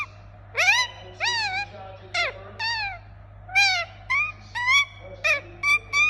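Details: Pet Indian ringneck parakeet calling in a series of sharp, nasal squawks, some swooping up then down, others short and clipped, spaced about half a second apart toward the end, with a constant low hum beneath.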